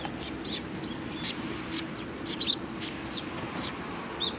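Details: A group of sparrows at a Tenmangu shrine in Japan, February 1, 2020: sharp, high chirps and a few softer curved notes come in quick irregular succession against quiet background hiss.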